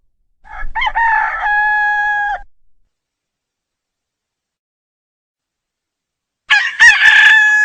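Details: A rooster crow lasting about two seconds, ending in a steady held note, followed by silence and the loud, rough start of another crow.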